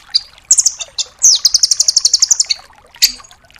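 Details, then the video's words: Full tembakan song of a rambatan doraemon nuthatch for training other songbirds: a few sharp high notes, then a long, very rapid rattle of around fifteen evenly paced notes, then a final isolated chip. "MASTERAN BURUNG RAMBATAN DORAEMON FULL TEMBAKAN"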